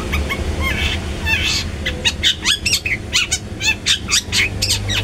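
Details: Long-tailed shrike call used to provoke other shrikes into calling: a string of short, sharp, rising and falling whistled notes, about two per second, over a steady low hum.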